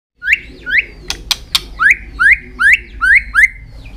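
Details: White-rumped shama singing while flicking its tail, a fighting song used to rouse young birds: eight clear whistled notes, each rising and then sliding flat, repeated about every half second, with a few sharp clicks in the middle.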